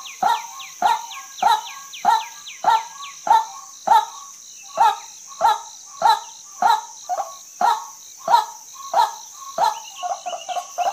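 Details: Female white-breasted waterhen repeating clipped, croaking notes roughly every 0.6 seconds, around seventeen in all, ending with softer rapid notes. Falling high whistles sound at the start, and a continuous shrill hiss runs throughout.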